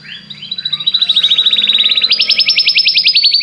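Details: Song of a Belgian canary used to prompt other canaries to sing: a rapid, even trill that slowly climbs in pitch, then jumps to a higher, louder run of sharp repeated notes.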